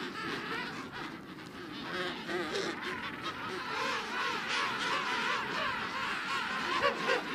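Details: A dense chorus of a captive King penguin colony at Loro Parque, with many overlapping warbling, trumpet-like calls rising and falling without pause over a steady rushing background.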